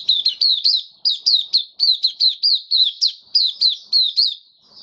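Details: White-eye in a cage giving open song on 18 May 2022, after completed deworming. The phrase is a steady, nearly unbroken run of clear high chirps, each dropping in pitch, repeated in quick rhythmic groups against silence.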